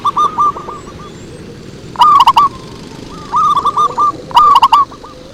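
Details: Zebra dove song for luring, where clear bursts of rapid, rolling coo notes come in quick succession, some opening with crisp clicks, separated by short pauses.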